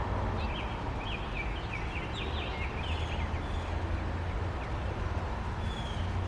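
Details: Four baby robins in the nest waiting for their parents to return with food; a quick burst of thin, high chirps repeated over roughly two and a half seconds, then fading, above a steady low rumble of background noise.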